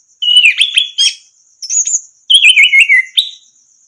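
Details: Orange-headed thrush song played to train other birds to sing: clear whistled phrases sliding between high and mid pitch, broken into short bursts with pauses, over a steady faint high insect-like hiss.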